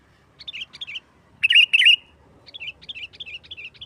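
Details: Sooty-headed bulbul in fighting-style song meant to lure other bulbuls into singing: short bubbly warbled phrases repeated about three times a second, broken by two louder, richer gurgling bursts, in a quiet setting.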